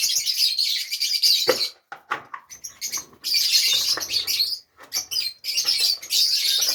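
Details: Pet Fischer's lovebirds in Safi, Morocco, housed with nests, produce shrill overlapping twittering in three long bursts separated by brief silences, with scattered clicks between.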